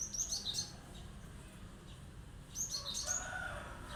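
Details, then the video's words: Cinereous tit in sharp, vigorous song that sets other birds answering: a brief cluster of high chirped notes, a pause, then another burst, joined near the end by a lower, softer call and a steady background hiss. "tembakan tajam glatik batu gacor bikin emosi burung yang mendengar"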